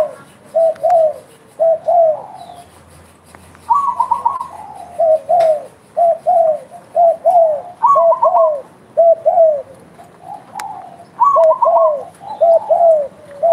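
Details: Spotted dove calling steadily: repeated soft, low, falling cooing phrases in pairs and triplets, some opened with a higher hooting note, about one phrase a second, with faint clicks in the background.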